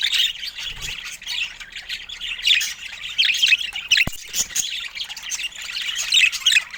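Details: Budgies chirping and warbling in a steady, scratchy chatter of short rising and falling notes, with a single sharp click near the middle.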